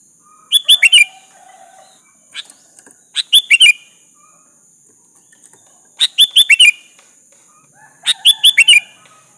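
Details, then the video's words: Sooty-headed bulbul used as a lure to make rivals reply: four bubbly phrases of three to five warbled notes, repeated roughly every two to three seconds, plus one soft extra note, against a steady thin hiss. "Suara burung kutilang gacor memanggil lawan pancingan kutilang agar nyaut"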